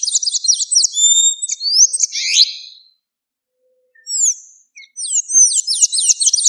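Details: Blue-grey tanager singing in the wild: rapid high, thin squeaky phrases of looping rising and falling notes and slurred whistles, a pause of about a second and a half, then another fast squeaky burst; no other sounds.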